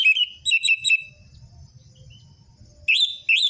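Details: Orange-headed thrush song played to stimulate reluctant captive birds. Quick clusters of bright warbled notes give way to a low background murmur, then loud rising whistled notes start again.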